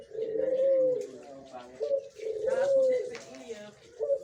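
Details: Caged mature spotted dove (burung putar) judged ready to become a master singer, giving low mellow cooing phrases, a long rolling coo then a second one, with faint speech in a small room.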